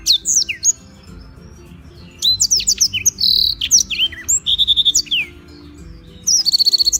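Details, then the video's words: Black-throated canary singing as a tutor bird in Gianyar, Bali: bursts of high swooping whistles separated by short gaps, with quick rattling trills of evenly repeated notes, the last one ending the phrase. "Blackthroat Gacor buat masteran"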